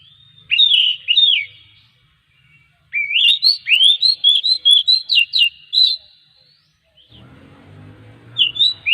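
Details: Oriental magpie-robin song played to encourage other magpie-robins to sing: a short warbled phrase, then a longer rapid string of about a dozen twisting whistles, followed by a stretch of low rumbling noise and a final brief phrase.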